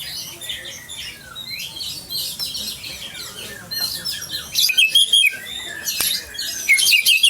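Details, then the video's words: Champion white-rumped shama from Aceh giving soft, scattered slurred notes that build into louder bursts of sharp high chirps toward the end. "Murai Batu Aceh Sang Juara original"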